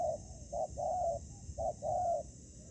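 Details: Spotted dove cooing during ground trapping with a decoy against a wild fighter bird. Fainter, muffled coos in two short-then-long phrases over a low rumbling background.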